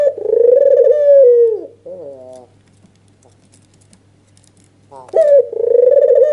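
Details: Albino white dove with red eyes, calling in agitated nodding display to make another dove answer. One long purring coo falls away into soft notes, a silent gap of about three seconds follows, then another coo starts.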